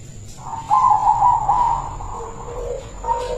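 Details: A single phrase from a kept local zebra dove of the rare silver colour: a loud rolling trill that ends in lower soft coos, with a steady high whine in the background.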